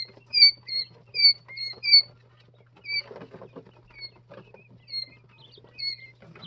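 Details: Two- and three-day-old Jumbo White Quail chicks peep in bright, high, whistled notes, several quick ones in a row at first, then spaced singles every second or so, with faint rustling and pattering underneath.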